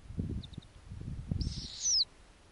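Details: A single loud, harsh, high screech lasting over half a second, ending in a falling sweep. It comes from snowy owlets of mixed ages at their Arctic nest when the female returns with a lemming on a warm summer night. Brief faint chirps and low rustling come earlier.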